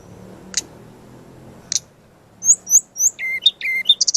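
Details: Brown-chested jungle flycatcher master song used for training: two sharp clicks, then a run of slurred high whistles, lower whistled notes and a fast buzzy ending.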